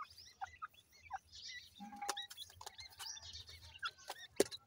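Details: Partridge chicks at play, uttering sharp, upslurred twittering peeps in loose bursts, with one steady thin tone, scattered clicks and a sudden loud tap near the end.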